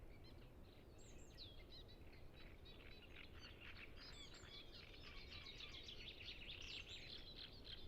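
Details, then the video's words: Chorus of Great reed warblers at Ema-Joe Suursoo Natural Reserve beside Lake Peipus, captured on Zoom F6 with Sennheiser MKH 8040; grating, choppy song phrases repeat rapidly and thicken toward the end over a constant low background hum. "Great Reed Warbler Sound Library"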